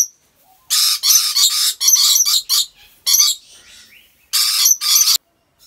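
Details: Harsh, grating shrieks from rainbow lorikeets at Gurun Putih Lestari park, Aceh, run together into long noisy bouts, then a pause with faint chatter and a final double screech.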